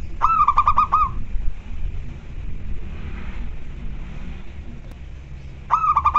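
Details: Local zebra dove at home giving the energetic 'koar koar' call as birds reply to each other: a brisk run of about six rolling coos at the start, a long pause, then another bout beginning near the end, over low rumble.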